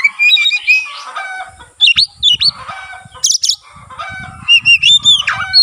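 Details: White-rumped shama in song, tail spreading, mixing buzzy warbles, a high sharp double note and clear rising whistles in quick bursts, with faint low knocking sounds.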